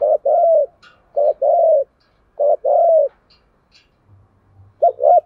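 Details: Caged decoy spotted dove cooing to draw in wild doves. Three paired coos, a short note and a longer resonant hum, at about one-second intervals, then a faint low rumble before a wavering note starts another phrase.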